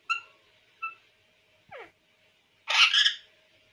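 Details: Pet parrot, said to talk everything, gives brief harmonic chirps, a falling squeak, then a loud harsh squawk, in a quiet indoor room with a steady low hum.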